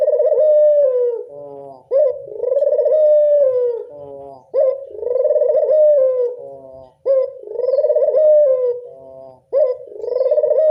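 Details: Steady series of local Barbary dove coos for luring doves: four rolling, trembling phrases, each launched by a quick rising note, repeating roughly every two and a half seconds with little pause.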